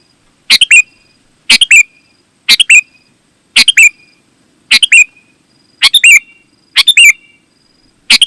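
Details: Sooty-headed bulbul in lively song meant to call in wild bulbuls and tutor pet birds; eight short warbled phrases at a steady pace of about one per second, each two or three quick chirpy notes, loud and near.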